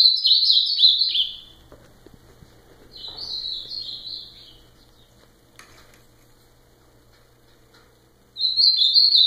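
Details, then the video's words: Ultramarine grosbeak repeating its rich warbled song, three separate phrases of quick sliding whistles, each about a second and a half long, divided by quiet pauses of several seconds. "Azulão fenômenal"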